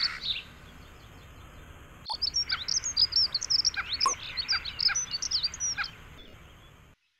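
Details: European robin pair during courtship, the male feeding his female; after two quiet seconds a busy run of thin, high chirps and twitters tumbles out rapidly for about four seconds, then stops, over a faint background hiss.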